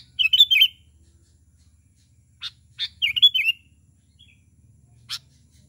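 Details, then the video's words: Sooty-headed bulbul calling to other bulbuls, used as a lure: short bubbly, warbled phrases of a few quick notes with sharp single chips between them, over a faint low hum. "Suara KUTILANG panggilan kutilang gacor memanggil kutilang lain"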